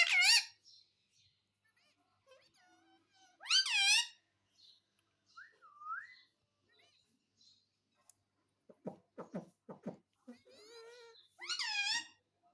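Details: Parrot kept as a pet and said to talk, saying "Mummy Papa"; spaced loud harsh squawks, a soft dipping whistle, a burst of clicking chatter, then a final strong squawk.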